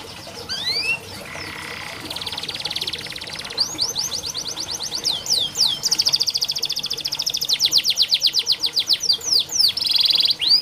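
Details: Song of a canary, played as training for canaries slow to sing: opens with a few upslurred sweeps, then buzzy rattles give way to fast, bright trills that speed up and run on steadily.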